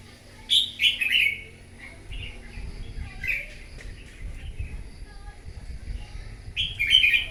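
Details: Morning dueling song of a wild-caught red-whiskered bulbul: a bright burst of warbled whistles, a softer short phrase a couple of seconds later, then another loud rolling phrase at the end, over low rumbling noise.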